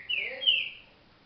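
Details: Green-winged saltator, a trinca-ferro still slow at its up to thirty songs, producing two quick, smooth whistled notes, the second higher and more drawn out, in a brief bright burst.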